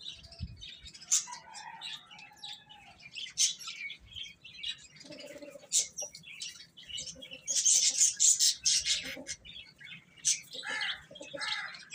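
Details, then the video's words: Chicken chicks eating and playing, giving high, rapid, irregular peeping chirps that come in bursts, with a few lower tonal notes and pecking clicks between them. "Cute Chicks Eating and Playing | Baby Hen Chirping Sounds"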